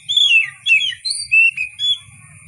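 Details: Loud, clear whistled phrases from an Oriental magpie-robin, each a swooping slur dropping or rising in pitch, given in four short bursts, with a faint low rumble and constant high whine behind.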